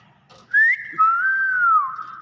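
A common hill myna gives two clear, pure whistles: a short rising note, then a long, even whistle that dips at the end. Faint room noise underneath.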